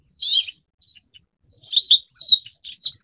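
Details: Forest wagtail giving short, high chirping notes: one bright chirp, a pause of over a second, then a run of quick, sharp, slightly buzzy chirps close together near the end.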